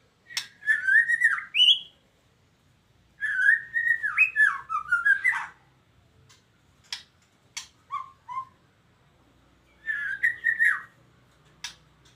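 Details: Eight-month-old captive-bred white-rumped shama of the Medan type; rich warbling whistled phrases rising and falling, delivered in three bursts separated by pauses with a few sharp clicks and short whistles between.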